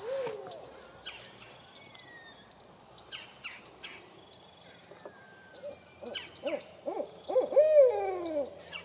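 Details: Barred owl mostly faint early on, building near the end into a run of short hoots and one loud, drawn-out hoot that rises and falls, with chirping songbirds filling the background.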